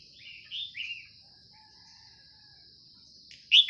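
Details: Red-whiskered Bulbul heard in the morning as trappers use a decoy bird. Two quick, sweet, slurred notes open the clip, then a pause over a constant high-pitched hum, and a sharp bright note at the end.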